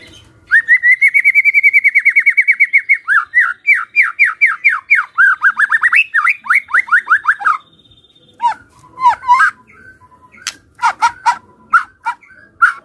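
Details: White-rumped shama giving a kretekan fighter call meant to provoke silent shamas into answering. A fast, even run of harsh notes near one pitch leads into a quicker string of down-slurred notes. Scattered short notes and sharp clicks follow.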